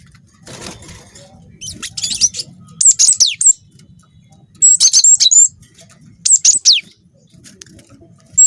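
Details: Young cinereous tit in full rolling song: high, clipped chip notes and sharply falling whistles in clusters of three to five, repeated several times with pauses, over a low, constant hum.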